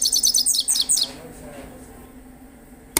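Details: Himalayan goldfinch singing: a quick series of high, bright chittering notes repeated rapidly for about a second, then falling silent with faint background hum.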